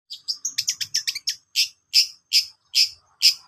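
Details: Long-tailed shrike song used as a training recording for birds: a quick run of sharp chattering chirps, then five louder, evenly spaced high notes about every 0.4 seconds.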